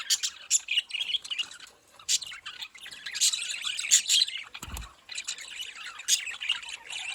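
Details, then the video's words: Budgies produce busy twittering and chirruping, bright squeaks and warbled phrases tumbling over one another, with one short low knock midway. "parrot calling sound"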